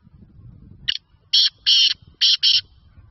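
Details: Black partridge, or kala teetar, recorded in Sindh, Pakistan: a brief clipped note opens the phrase, followed by four loud, buzzy, grating bursts in two pairs, over faint low background hum.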